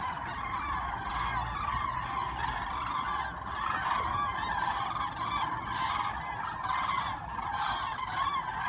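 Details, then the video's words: A large flock of cranes passing overhead on southward migration above Osnabrück, Germany, early November; a dense, continuous chorus of trumpeting, honking calls from many birds, steady throughout, with a faint low hum of distant traffic. "Kraniche ziehen über Osnabrück in den Süden"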